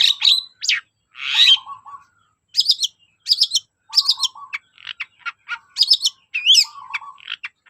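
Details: Long-tailed shrike lure song: jumbled sequence of high squeaky chirps, a rough grating note and twittering phrases, loud and rapid with frequent short breaks.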